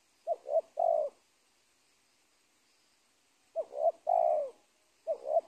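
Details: Cooing of a wild spotted dove that held an old cornfield beside teak trees and was trapped: two full phrases, short double notes before a long sliding coo, separated by a two-second pause, then a third phrase begins.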